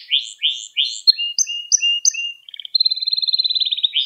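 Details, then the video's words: Tutoring song for young canaries: a canary gives a series of sweeping chirps, then short flat whistled notes, then a rapid high rattling trill to the end. "Kanaryanız Çıldıracak Ders Gibi Kanarya Sesi Ve Ötüşü"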